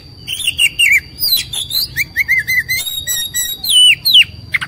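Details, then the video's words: Oriental magpie-robin, an agitated bird in fighting mood with tail spread, delivering a loud, fast song of varied clear whistles, sliding notes and sharp chirps in short bursts with brief pauses, some phrases rising and others falling. "KACER NGAMUK | KACER NGOTOT | KACER NGOBRA | KACER BUKA EKOR | KACER TARUNG"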